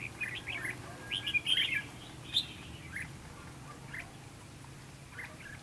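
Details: A decoy red-whiskered bulbul in a fighting trap sings to lure rival birds: a cluster of quick, clear chirped and whistled notes in the first half, followed by sparse single chirps against a quiet outdoor background.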